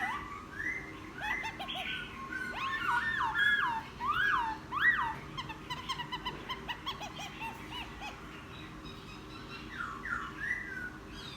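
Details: Wild-caught laughingthrush, ten days after capture, sings a rapid jumble of looping whistled notes, loudest in the middle, then trailing off into quieter scattered phrases.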